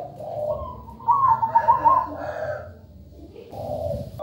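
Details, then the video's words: Zebra dove singing actively in a melodious, rhythmic style: one bright, rolling trilled coo phrase of about a second, flanked by softer low hollow coos, over a steady low background hum. "MEWAH PERKUTUT GACOR SUARA MERDU"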